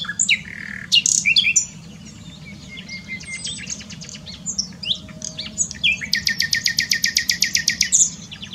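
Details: Common nightingale singing at Dohr in the Eifel, Germany: varied high whistles and chirps give way to a long, loud run of rapid, evenly pulsed notes near the end, over a low, steady background rumble.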